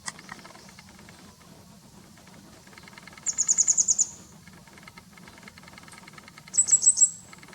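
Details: Grey wagtail, late April 2020, watched from home: a rapid run of about eight sharp, high ticking notes, then after a gap a shorter burst of four, with faint clicks in the background.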